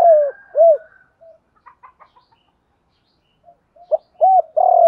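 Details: Spotted dove 'hạp bổi' cooing meant to excite trained males: two rounded coos at the start, faint scattered ticks and soft notes, then a sharp note, an arched coo and a burry coo cut off at the end.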